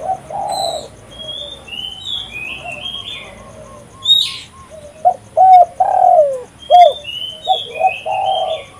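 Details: Spotted dove in full voice for luring and decoying wild birds; a drawn coo opens, then a bright series of short and long low coos, while high warbling whistles of other birds run across.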